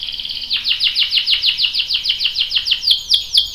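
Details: Canary in a lure track meant to prompt male song: quick repeated high chirping notes, roughly six per second, each sweeping downward, turning into louder, spaced slurs at the close.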